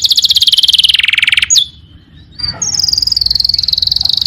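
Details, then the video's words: Canary singing in a lively, full-voiced style, with fast trilled phrases sliding down from high to mid pitch, a brief gap, then a long steady high rapid trill. "Suara kenari gacor"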